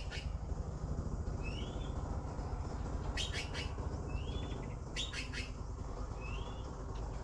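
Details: Grating triple-pulsed begging rasps from young blue magpies waiting to be fed, heard twice midway and once at the start, alternating with short rising whistles over a dull low-pitched background noise.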